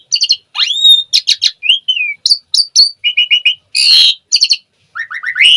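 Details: Asian pied starling in energetic 'gacor full isian' song: rapid bursts of harsh chattering notes mixed with clear rising and falling whistles, buzzy rasps and short repeated chirps, each phrase different, with brief pauses between.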